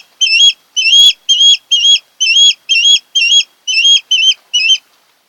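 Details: At a nest on Kent Island, Maryland, an osprey gives a steady run of loud, slurred whistles in late August, each note rising then falling, about two per second, with a faint thump partway through.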